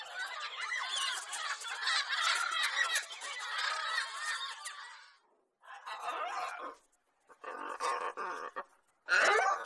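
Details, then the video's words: Lorikeet calls recorded for pet parrot entertainment: a long burst of harsh, rasping screeches from several birds, cut by short silences, then more bursts of shrill chatter. "Parrot Sounds For Birds"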